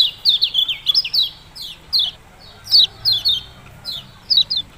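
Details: Yellow-bellied prinia (local name kecial kuning) with its 'ciak-ciak' song: quick runs of sharp, high downward-sweeping notes in brief bursts separated by short silences.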